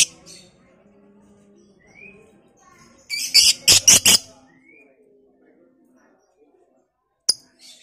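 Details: Lovebird, Batman fighter type, used as a provoking call for other lovebirds: a rapid run of about five loud harsh high pulses in quick succession, then a single sharp chirp, with faint background chirps and soft voices.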